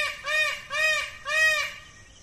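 A peacock gives three loud, nasal, wailing calls in quick succession, each arching up and down, with no other clear sounds.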